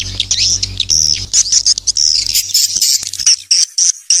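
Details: Swiftlet lure call in the Black Star style, meant to draw young swiftlets into a new nesting building: rapid high chattering twitters in a continuous stream, with a low hum beneath during the first half.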